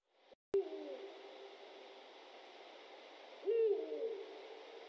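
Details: Eurasian eagle-owl: deep, low hooting with a steady drawn-out tone, one hoot after a sharp click near the start and a second stronger hoot about three seconds later, over a faint hiss.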